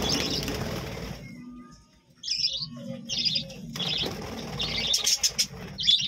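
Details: Chirping from a budgerigar colony kept at a village home. A noisy opening gives way to short, bright, warbled chirps in quick succession, several in the last four seconds, with faint rustling beneath.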